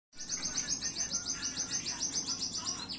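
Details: White-rumped shama ready to perform in a singing competition arena: a fast, steady run of sharp high chirps, about three or four a second, each a short downward stroke, with a faint lower murmur beneath.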